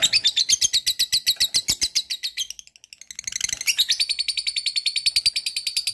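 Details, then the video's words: Lovebird in full ngekek, its long chattering song: a rapid shrill rattle of high notes, a brief pause near the middle, then the fast piercing chatter resumes and runs on steadily. "SUARA BURUNG LOVEBIRD NGEKEK GACOR PANJANG"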